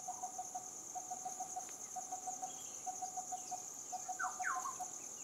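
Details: Coppersmith barbet repeating hollow, evenly spaced tonk notes in brief runs. A steady high-pitched insect drone continues, and another bird adds a few quick sliding chirps near the end.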